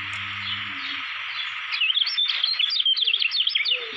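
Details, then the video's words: Lombok white-eye, kecial kuning, a contest-prospect bird, breaking after a low hum into rapid high twittering with quick up-and-down chirped notes and brief whistled slurs, backed by a constant hiss. "CALON JUARA GANTANGAN KECIAL KUNING LOMBOK"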